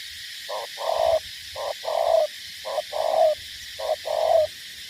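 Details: Spotted dove decoy bird from Cà Mau, Vietnam, calling in four hoarse, breathy phrases, each a short note then a longer rough coo, spaced about a second apart.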